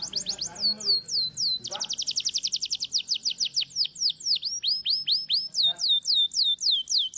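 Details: Canary in full song, used as a master bird for training other canaries: rapid falling whistled sweeps, then a fast trill of repeated notes, then slower drawn-out downward slurs repeated about every quarter second.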